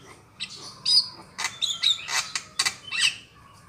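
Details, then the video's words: Black-winged myna (jalak kebu) lure call used for trapping birds: a run of harsh squawks and chattering bursts mixed with short whistled notes, uneven, spaced a fraction of a second apart. "SUARA BURUNG JALAK KEBU DI JAMIN MANTAP DAN AMPUH"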